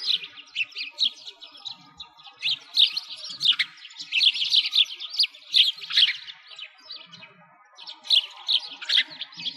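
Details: Sparrows calling near a frozen lake in winter, Bratislavsky Park, Moscow, Russia; bursts of bright, sharp chirps come in clusters separated by short quieter gaps, the setting otherwise fairly quiet.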